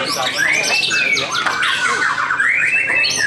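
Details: Contest white-rumped shama, a second-place winner at Kejobong Jaya Ronggolawe, in full song on the hanging pole soon after moulting: long pure whistles that swing up and then slide down, with busy harsh notes woven around them.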